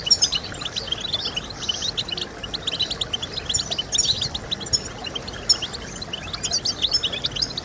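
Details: Goldfinch song offered to encourage birds to sing: quick, high, tinkling twitters and chirps in loose bursts, somewhat fainter, with a steady murmur of background noise underneath.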